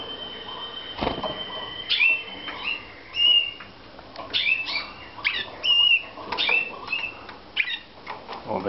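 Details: Slavujar canaries in a Romanian breeding room, 2014, deliver varied whistled notes, flat held tones and rising slurs in a loose series, with one sharp knock and background hum.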